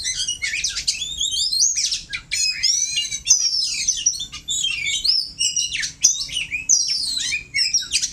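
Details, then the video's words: Oriental magpie-robin pitted against a rival to firm up its singing, pouring out loud, varied high whistles, buzzy trills and scratchy chirps in a near-continuous flow broken by brief gaps every second or two. "Belajar berkicau burung kacer || adu kacer untuk memantapkan kicauan kacer"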